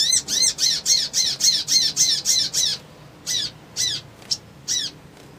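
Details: Crimson sunbird calling, used as a lure to excite other birds: a fast, regular burst of high, harmonic chip notes about four per second, then slower, scattered single notes.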